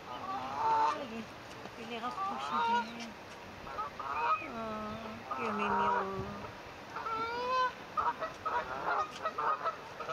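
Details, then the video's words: Swans and cygnets on the babies' first day, 9 May 2024, captured by phone: a busy run of honking calls, a few lower drawn-out notes mid-way, and rapid clustered calls toward the end. "First day of #baby #swans"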